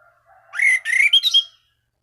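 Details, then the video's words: Orange-banded thrush calling out to rivals to stir other thrushes to sing; a rising whistled phrase breaking into rapid warbled notes, over a faint low steady tone. "Anis Cendana Gacor MEMANGGIL LAWAN Pancingan burung anis lain agar berkicau"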